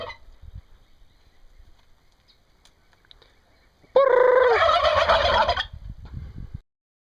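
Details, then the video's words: A turkey in Brazil lets out one loud, rapid, rattling gobble lasting under two seconds after a quiet start, with faint low rumbling in the background. "Turkeys gobbling"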